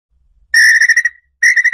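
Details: Red-legged tinamou song meant to draw the bird in: a loud, slightly wavering whistle broken into quick pulses, fading out, then a second pulsed whistle begins, in a quiet background.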